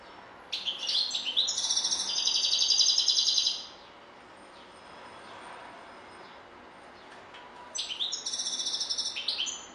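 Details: A European goldfinch gives two separate bursts of song: a long, metallic, buzzy trill of about three seconds, a quiet gap of several seconds, then another twittering phrase.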